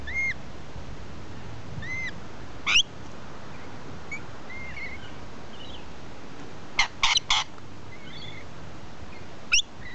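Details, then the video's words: Rainbow lorikeets hanging around in a tree: harsh, sharp screeches, one burst near three seconds, a quick cluster of three around seven seconds, another at the end, over soft whistled notes and a steady low background rumble. "Hanging around - Rainbow Lorikeets"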